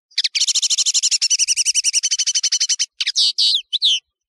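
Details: Song of a European serin, called Nino in Algeria and Kamatcho in Morocco: a rapid, even trill of about twenty-five high, tinny notes in under three seconds, ending in a few buzzy, squeaky flourishes.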